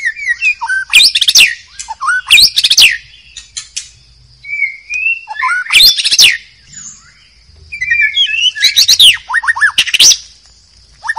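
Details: White-rumped shama singing in the wild forest: bursts of sharp, sweeping whistles and rapid chattering notes, alternating with soft low whistled phrases, with a steady high insect-like hum behind.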